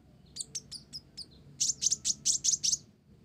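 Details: Olive-backed sunbird in lively full song, its repertoire filled with Java sparrow phrases: five thin high chirps, then a quicker run of six sharp, bright, high-pitched notes, all very high and clean over faint background hum.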